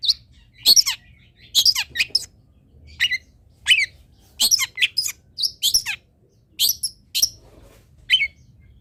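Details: Long-tailed shrike song for tutoring captive birds: a varied jumble of high chirps, squeaky slurs and descending squeals in uneven bursts, separated by short silences.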